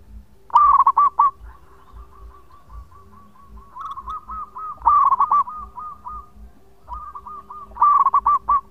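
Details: Local zebra dove, a male, singing long phrases as a lure: loud bursts of rolling, hooting coos near the start, middle and end, joined by softer cooing from a second, more distant dove and a steady low hum.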